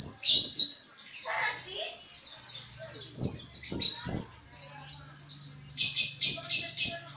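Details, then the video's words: White-eye (pleci) giving ngriwik chatter used as training sound for kept birds: thin, very high twittering bursts in three loud rushes, at the start, middle and end, with softer chatter between and a low steady hum beneath. "Penggacor Pleci NGRIWIK"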